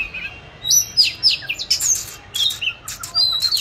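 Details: Caged oriental magpie-robin hatched 29 July 2020, recorded 22 March 2021 hung in an ideal spot to practise singing; brief high whistles and scratchy chattering notes in quick succession.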